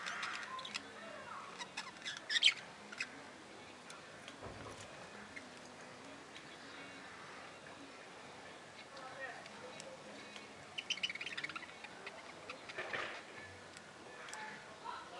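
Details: Budgerigars in an aviary chattering together, a steady scratchy warble broken by brighter chirps and squeaks.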